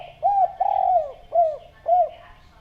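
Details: Lure recording of a spotted dove: one clear phrase of mellow coos, a short note, a long quavering drawn-out coo sliding down, then two brief falling coos.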